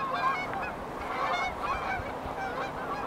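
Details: Geese resting along the riverbank at Beaver Dam Flats in Calgary, Alberta, taking off on flights toward warmer climates. Many overlapping nasal honks rise and fall continuously from a crowded flock.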